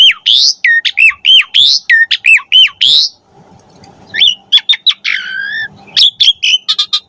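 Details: Asian pied starling (jalak suren) delivering varied song to train pet birds: fast repeated hooked whistles and raspy notes, a brief lull, then mixed whistles, a buzzy slur and sharp chips.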